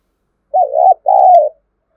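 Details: Spotted dove cooing, used to provoke wild males into cooing: a two-part phrase, a wavering, slightly broken first note followed by a longer, smooth, falling coo, in clean, quiet surroundings.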